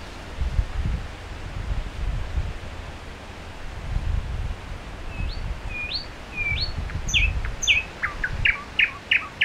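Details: Late on a May night in 2011, a lone common nightingale sings by Solbjerg Sø in Denmark. Its song is short with long pauses. Four upslurred whistles rise in sequence, then a fast burst of sharp repeated notes. Soft wind noise.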